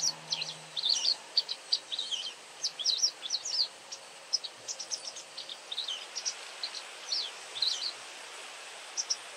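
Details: A very vocal white wagtail gives a long series of thin, high, sharp chips and quick twittered phrases, irregular and sometimes doubled, against a constant soft background hiss.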